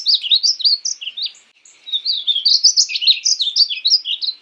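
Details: Painted bunting song: a quick jumble of high, sweet warbled notes, rising and falling phrases delivered in two bursts separated by a short pause; no other sounds.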